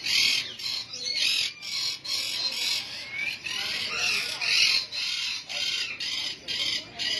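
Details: Breeding pair of white-headed blue Indian ringneck parakeets giving loud, harsh, high squawks in rapid repeated bursts, closely spaced and overlapping for several seconds.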